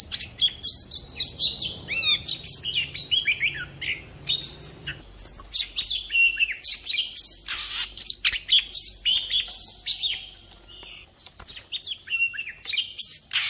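An Oriental magpie-robin sings a rich, varied run of clear whistles, trills and scratchy notes in quick bursts, with a faint low hum early on.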